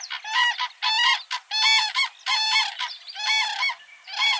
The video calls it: Common Crane